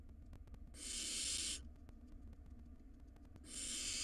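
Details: Nest-box recording of a wild barn owl nestling swallowing a rodent, giving a drawn-out breathy screech-hiss near a second long, a two-second quiet gap, then another hiss starting; faint low rumble underneath.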